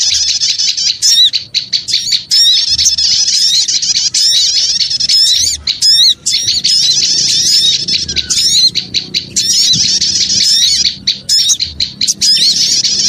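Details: Thirteen seconds of lively small-bird lure sound: many birds twittering and squeaking at once, high rapid notes forming an almost unbroken noisy chorus with short breaks around six and eight seconds.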